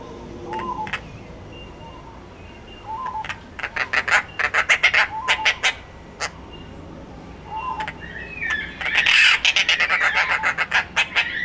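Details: Dollarbird, a species of northern and eastern Australia, calling in bursts of rough, rasping notes strung into rapid chattering runs, separated by pauses with soft, short mid-pitched notes, ending in an especially loud, dense outburst.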